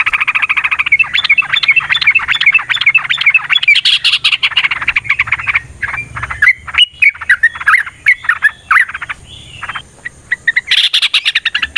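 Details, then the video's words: Yellow-vented bulbul in a long fighting song used to make rival bulbuls respond. A fast, continuous stream of liquid whistled notes rises and falls, thinning into scattered phrases before a loud final burst. "TRUCUKAN GACOR TARUNG ROPEL PANJANG"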